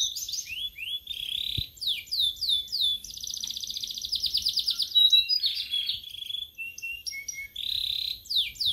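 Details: Caged sulingan laut (tledekan laut), singing three days after being taken into care, delivers a long varied song: sharp slurred whistles, a fast buzzy trill, then more scattered high whistled notes and chips, with one faint knock.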